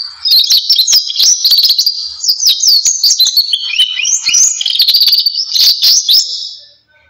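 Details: Belgian canary song: lively high twittering and fast trills flowing in varied phrases, with sharp clicks among the notes, ending in a fade.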